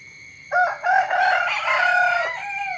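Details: Early-morning rooster crow, loud and close: an abrupt start, a short pause, then a long harsh sustained call of nearly two seconds that trails off gradually, with a steady high-pitched drone behind it.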